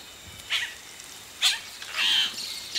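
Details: Nestling yellow-rumped caciques calling up close as adults arrive: two short hoarse squawks, then a longer, drawn-out raspy call lasting about half a second.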